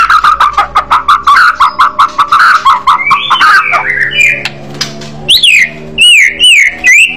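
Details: White-rumped shama singing in an aggressive fighter style, loud: a fast series of short clipped notes repeated about twice a second, then a rising whistle and loud looping swept whistles near the end.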